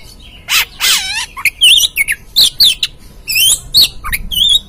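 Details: Oriental magpie-robin song used as a lure to provoke a caged bird into singing: loud, varied whistled phrases, some sweeping up and down, others sharp and clipped, in a quick broken sequence.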